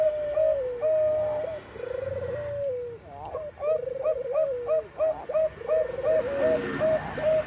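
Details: Lure song of a Bangkok zebra dove, perkutut bangkok: a long trilled coo falls at its end, then a quick series of hooked, clipped notes alternates with vibrating rolls in an even, rhythmic cooing sequence.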